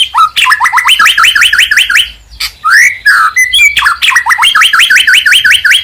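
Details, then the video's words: Murai batu, the white-rumped shama, a Medan bird singing to provoke rivals into song: quick repeated rising whistled notes, a short break with a swooping call, then another fast run of upslurred whistles. "100% Ampuh mancing emosi Murai Batu Gacor"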